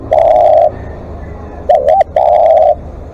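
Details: Decoy spotted dove in long calling: a sustained low coo, a pause, then a quick wavering double note leading into another long, even coo, with brief clicks in the background.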